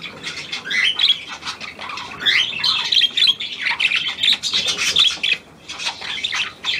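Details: Continuous budgerigar chatter from a new, hand-tame Australian pied bird: scratchy twitters, squeaks and warbled notes tumble together, pausing briefly near the end before resuming.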